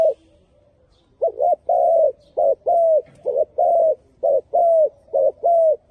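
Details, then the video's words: Spotted dove song: a second of near silence, then a quick series of low, mellow coos, short and long notes alternating. "Very Good Dove Singing"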